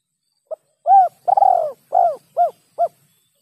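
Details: Spotted dove lure call with a rare kuk 2 or kuk 3 ending: a soft note, a round coo, a longer rolling coo, then three shorter falling coos, mellow and unhurried over silence.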